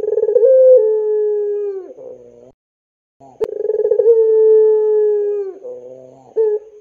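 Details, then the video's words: Puter pelung dove calling as a lure to prompt young doves into singing: two long drawn-out coos, each opening with a rapid rolling pulse, then a steady mid-pitched tone that slides down at the end, with a pause between. "SUARA PANCINGAN BURUNG PUTER PELUNG GACOR COCOK UNTUK MASTERAN PUTER MUDA"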